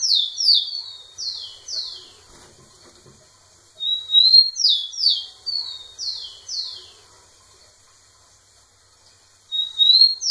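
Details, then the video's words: Rufous-collared sparrow singing again and again to a female: repeated phrases of high whistled notes ending in a series of falling slurs, each song about two seconds long with short pauses between. "Tico tico cantando muito na cara da fêmea"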